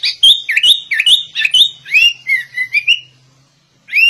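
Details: A sooty-headed bulbul delivers a shama-style song: a rapid stream of looping, rising whistles about two to three per second, softening toward the end, then resuming after a brief silence.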